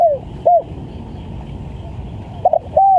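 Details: Spotted dove in a lure recording used to attract wild doves; soft, low, mellow coos: one brief falling note, then a stuttering double coo and a longer level coo near the end, over a steady faint background hiss.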